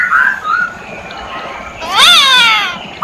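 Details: Masked laughingthrush giving a couple of soft whistled notes, then a loud, rich, downslurred call that sounds almost like a wail.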